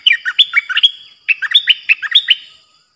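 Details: A captive cream-vented bulbul sings on 18 June 2021: two bursts of bubbly, warbling phrases, each a quick run of five or six slurred notes jumping between higher and lower pitches, then fading.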